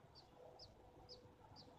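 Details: American robin nestlings in a nest in a backyard lilac bush in May 2016, mother away, give four thin, high, slightly falling peeps, about two per second, over a low background rumble.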